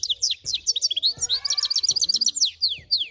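Brambling-canary hybrid singing a fast, varied run of high chirps, slurred whistles and rapid trills that rise and fall without pause. Soft low thumps sound faintly underneath.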